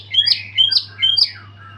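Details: Caged white-rumped shama after its moult, singing energetically with a full repertoire. Three quick bursts of bright, high whistled and chirping notes with sliding slurs, each about a third of a second apart, over a low steady electrical hum.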